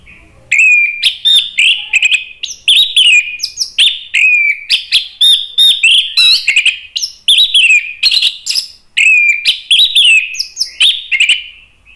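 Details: Orange-headed thrush, a caged bird kept for song training, singing an agitated, sharp song meant to provoke other birds into singing: dense run of varied whistled phrases and rapid chirps, continuous with short breaks, clean recording.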